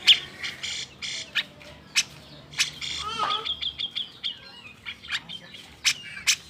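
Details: Cucak jenggot giving an agitated song meant to provoke idle birds into singing: bursts of whistled and buzzy notes, rapid upslurred trills and harsh chatters, with a human voice speaking in the background.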